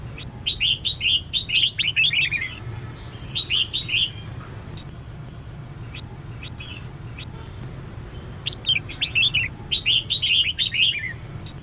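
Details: Female red-whiskered bulbul calling to stimulate males to sing: bursts of rapid chirpy, warbling notes between two and four kilohertz, in three groups separated by pauses, over a steady low hum.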